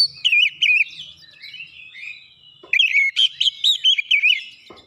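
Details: Oriental magpie-robin song used to lure and provoke rival birds: warbled wavering whistles, a soft pause, then a dense loud phrase of looping high notes.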